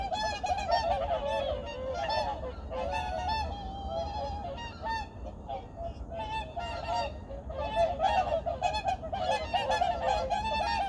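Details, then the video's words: A big gathering of migratory birds at Junam Reservoir in Changwon on an early morning in 2019, honking in a dense, uneven stream of roughly four calls per second that never lets up. "창원 주남저수지 철새소리"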